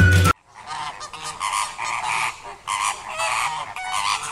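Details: A flock of migrant greater flamingos in Sri Lanka gives harsh, goose-like honks in overlapping nasal bursts, with a brief loud sound at the very start.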